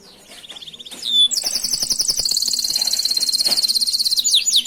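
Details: Canary singing a master song for tutoring other canaries: short descending notes and a brief trill, then a loud, sustained, very rapid high rolling trill with slight pitch steps.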